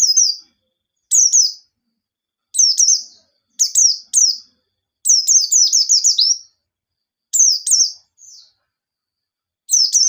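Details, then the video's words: Lively white-eye song used as a lure to get other white-eyes singing: clear, high whistled phrases with quick downslurred notes, delivered in bursts and short rapid chattering runs separated by brief pauses. "Burung Pleci Gacor Ngalas Nembak || Pancingan Penggacor Pleci Bahan"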